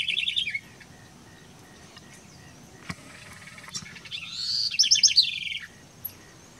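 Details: A house wren sings a quick, bubbling burst of high, jumbled trills and chatters in Colonia Carlos Pellegrini, Esteros del Iberá, Corrientes, Argentina, in October 2016.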